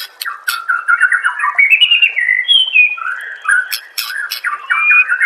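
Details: White-rumped shama (murai batu) song used as master training material for caged birds: a continuous, fast medley of warbled and whistled notes, rising and falling phrases, with crisp high clicks scattered throughout.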